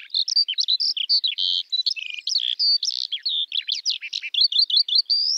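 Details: Eurasian skylark (Alauda arvensis) in full song, a busy, high, rippling warble of buzzy notes, trills and bright chirps packed closely together, rising to a thin upslurred whistle at the end.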